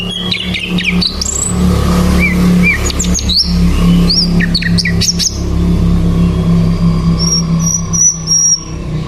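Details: Sikatan londo flycatcher singing vigorously, a fast run of twittering chirps and rising whistles, then a series of short, very high, evenly spaced notes, all over a steady low hum.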